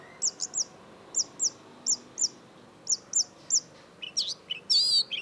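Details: Long-tailed shrike in vigorous song: paired high whistled notes repeated in a steady pattern, followed by a rush of wavering trills and buzzy warbled phrases, bright and high-pitched.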